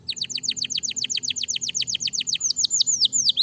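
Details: Canary repeats loud, sharply falling chirps at a steady quick rate, slowing near the end into longer, curved whistled notes.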